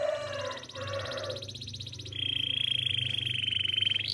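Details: Russian canary song over low background noise; a lower warbling passage gives way to a fast, even high trill held for about two seconds.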